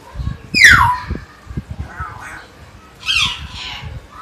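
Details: Common hill myna at Jatiasih, Bekasi: a sharp, loud call sliding steeply down into a whistle, then quieter murmurs and a second rough, buzzy call near the end, over low knocking background sounds.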